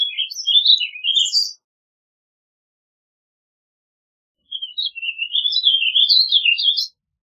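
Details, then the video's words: Warbling vireo song: two bursts of rapid, warbled, up-and-down chirping notes, a short phrase at the start and a longer rambling one after a pause of about three seconds, with no other sounds. "Warbling Vireo Song! Warbling Vireo Call!Warbling Vireo Sound - Vireo Gorjeador Canto- Vireo Gilvus"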